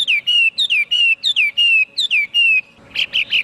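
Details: Chinese hwamei repeating a paired phrase, a sharp falling note followed by a level sustained whistle, four times over, ending in three harsher buzzy chirps.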